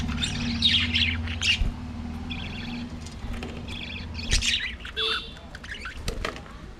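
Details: A flock of budgerigars singing and playing in an aviary, pouring out dense, busy warbling chatter full of rapid chirps, buzzy notes and squawks that swell and fade, over a constant low hum.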